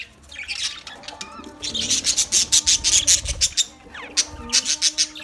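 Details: Colony budgerigars chirping: soft warbling opens, then fast regular trains of sharp, bright high chirps repeat in bursts with brief pauses, mixed with quieter lower warbled notes.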